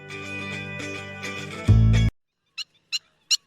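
Guitar music plays, then three short, sharp, high kek notes about a third of a second apart ring out in silence.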